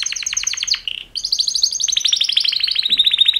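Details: Male canary mating song, one of two males: quick high trill, a short buzzy note, then a long, slightly falling run of rapid chattering pulses that grows steadily louder.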